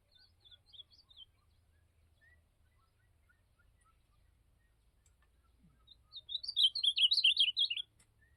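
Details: Azulão, the ultramarine grosbeak, heard on a campeada in the field. A few faint, thin notes come first, then a quiet gap. Near the end, a bright, rapid warble of twittering slurred notes lasts under two seconds.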